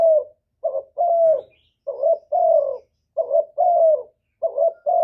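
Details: Spotted dove calling to provoke others into cooing: a run of deep paired coos, each a quick note and then a longer gently falling note, evenly spaced about a second apart in quiet surroundings.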